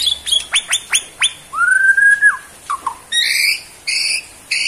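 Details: White-rumped shama of the Borneo form, a caged bird, producing a long steady whistle after a series of sharp clicks, then dropping notes and several harsh buzzy bursts.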